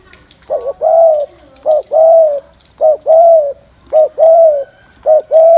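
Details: Regular spotted dove cooing used to excite males, five even phrases about a second apart, each a clipped low note followed by a fuller, sustained hum, on a quiet background.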